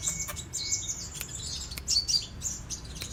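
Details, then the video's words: Lively sunbird song in the chattering style locally called 'cetrekan': dense, very high twittering and short squeaky chirps in quick succession, over faint low background rumble. "Kicau Kolibri Raja KING KONIN Gacor cetrekan"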